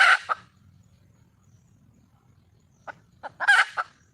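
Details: Red junglefowl hen, wild, calling to attract a male: a harsh, loud squawk opens, then a long pause, then a few rising clucks leading into another strained, rasping squawk and a final cluck.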